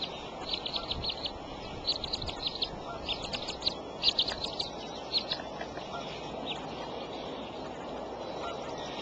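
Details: Bald eagles at the Decorah nest, April 13 at 8:37 am, adult female feeding eaglets: rapid bursts of thin, high chirps in clustered series over steady broadband hiss.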